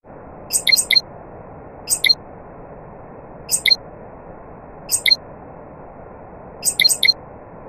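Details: Nightingale song amid other birds: short, high, bright chirped bursts, each two or three quick notes, spaced one to one and a half seconds apart over a quiet hissing background.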